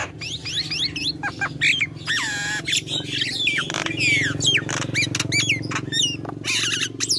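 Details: Nias hill myna in a lively song: dense, overlapping harsh squawks and rasping calls mixed with quick rising and falling whistles, over a steady low background rumble.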